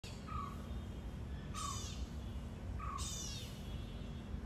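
A hornbill gives short, harsh, nasal calls about every one and a half seconds over a steady low rumble of background noise.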